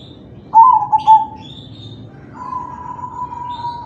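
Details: Crossing perkutut (zebra dove) in manggung song for luring others into singing; one loud phrase of quick stuttering coos followed by a quieter, long even tone and faint high notes.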